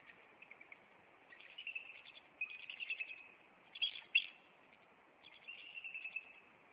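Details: Nesting bald eagles in Maine on April 26 during an intruder encounter, the male flying at the intruder before landing on a branch. Squeaky, chattering piping runs in quick bursts, with a louder cluster of shrill notes midway.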